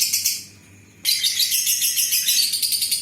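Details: Lovebird ngekek meant to lure other lovebirds. A short burst of shrill chatter is followed by about half a second of near silence, then the rapid, buzzy, pulsing trill resumes strongly and carries on.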